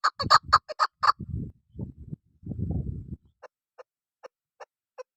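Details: Female chukar serving as a hunting decoy: a burst of rapid loud clucks, then low rumbling noise, and finally a few faint, slower chuk notes spaced about a third of a second apart.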